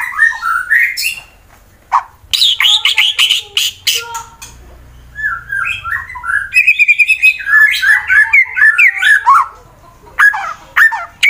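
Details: From Wonosobo, Central Java, Indonesia, a fighter white-rumped shama sings to stir rivals into singing, delivering rich whistled phrases, sharp rapid chips, mimic-like notes and fast rolling sequences, separated by short silences.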